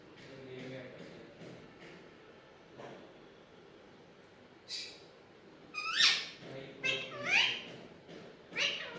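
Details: Domestic Alexandrine parakeet, a talking desi parrot, gives a series of loud, rough, rising syllables with softer clicks and faint voice-like sounds before them, indoors.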